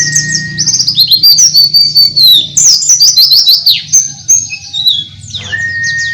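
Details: Loud, frantic warbling of oriental white-eyes, Dakbal, Pacitan and Muria types in open-beak song: shrill sliding twitters pour out nearly nonstop, with a short flat whistle near the end and low hum behind.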